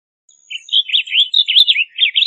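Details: Blue grosbeak, a migratory bird, singing a fast, burry warble of run-together slurred notes for nearly two seconds, with a faint thin high whistle at the start.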